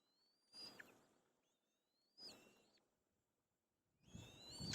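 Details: Young white-tailed kites squabble to grab food, giving thin, rising whistles that climb steeply and overlap. Three bursts are mixed with rustling and thumping noise.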